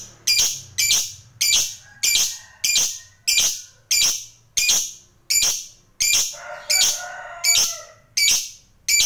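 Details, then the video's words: Lovebird of the fighter type giving harsh, high, screechy calls, evenly spaced about every two-thirds of a second, each short and abrasive, with a faint lower hum behind some notes. "Suara Burung Lovebird Ngekek Panjang"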